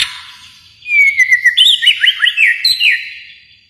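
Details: White-rumped shama from Kalimantan giving one brisk, loud phrase of sliding whistles and rapid chipping notes lasting about two seconds.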